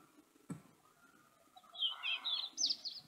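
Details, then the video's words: European robin song or subsong, a bird that sings all year round; after a quiet start and one sharp tap, a rapid string of high thin warbling notes rises and sputters toward the end over a soft steady hum. "Kızılgerdanın ötüşü /Nar bülbülü ötüşü ve alt ötüşü | European Robin song and subsong"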